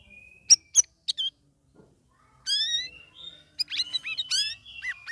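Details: Sooty-headed bulbul kept caged, third week of ombyokan care, ngeriwik ngeplong style: a few sharp clicks and chips, a short silence, then rich whistled phrases and rapid chattering notes.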